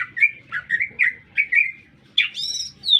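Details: Lesser green leafbird in town, singing a run of slurred, wavering chirps, then a loud harsh rising note and a high clear whistle.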